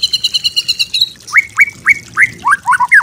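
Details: Training song of a white-rumped shama: a fast high double-pitched trill ending abruptly, then a series of loud rising slurred whistles, each note repeated about three times a second.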